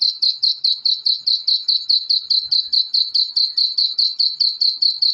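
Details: High, piping notes from black francolin chicks repeated steadily at about two and a half per second throughout, with nothing else audible; meant to excite adult black francolins.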